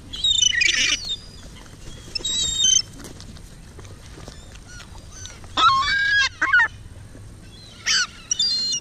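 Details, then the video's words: Gulls at Hovindammen pond receiving minced chicken meat give short bursts of harsh, harmonic squealing calls in separate clusters, with quieter gaps between them. "Måker på Hovindammen"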